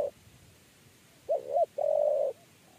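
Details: Spotted dove of the 'kuk 3' cooing type, chased while trapping until it went into a trap cage. One soft, mellow phrase: two brief arched notes followed by a longer level coo, over faint background hiss.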